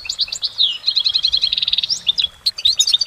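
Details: Clear goldfinch song in nature: a fast, high series of repeated twittering notes and a buzzy trill, ending in sharp, scattered chirps, with a quiet background.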